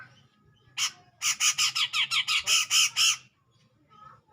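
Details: Grey-cheeked bulbul calling out a rival: one rasping note, then about ten harsh, evenly spaced buzzy notes delivered in two seconds, followed by near silence.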